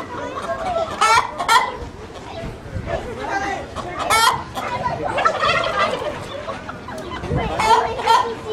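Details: Chicken making a fuss, dated 4-12-15: loud, harsh, repeated squawks and clucks in uneven bursts, some rising sharply, with people's voices faint in the background.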